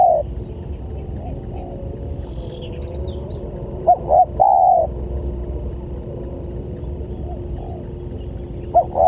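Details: Spotted dove lure call aimed at other doves: one full phrase of two short coos and a long held coo mid-clip, fragments at both ends, and faint answering coos in the background.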